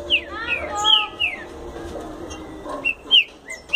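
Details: Fast explosão song from a green-winged saltator: clear whistled notes that slur downward, a quick run early on, then three or four bright separate whistles near the end against a soft noisy background.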